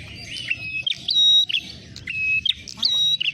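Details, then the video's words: Bait calls of ashy tailorbird used as a trapping lure. Bright chirps come in short bursts, with long level whistles in between and a faint low hum behind them. "pikat prenjak merah suara pancingan"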